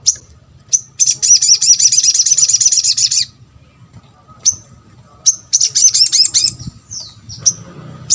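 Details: Repeated high trills of a little spiderhunter, played to draw responses from other birds: a two-second rapid chattering run, scattered sharp chips, then a second, shorter trill and more single notes.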